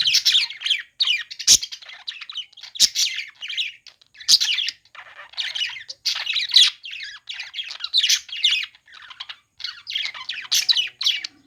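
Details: Budgies at play keep up a lively, rapid warbling chatter of grating chirps in repeated bursts, punctuated by brief sharp clicks and squawks.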